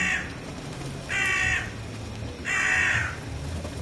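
A gull gives harsh, nasal squawks, each about half a second long, repeated roughly every second and a half over a low background rumble.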